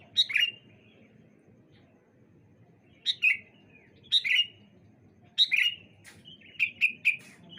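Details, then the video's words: On a clear morning, sooty-headed bulbuls call back and forth to prompt other birds to answer; short sweet descending chirps come in bursts, spaced out at first, then a quicker run of phrases near the end. "Suara Burung Kutilang Saut Sautan ... Dijamin Langsung Nyaut Burung Anda"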